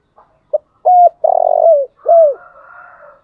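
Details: Morning call of a decoy spotted dove: faint notes, a level hoot, a long rough trilled coo, a falling hoot, then a quieter wavering tail.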